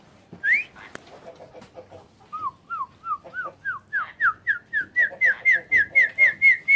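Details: A one-year-old pet Asian pied starling, said to talk and imitate crying on its own, gives a steady run of clear, slurred whistles, about four per second, starting lower and climbing to a higher repeated note.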